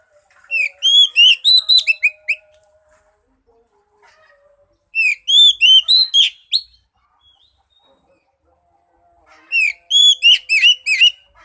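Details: Oriental magpie-robin song used to prompt a mute bird to sing: three clear, powerful phrases of quick whistled slurs, each lasting about two seconds and repeated roughly every four to five seconds, with near silence between.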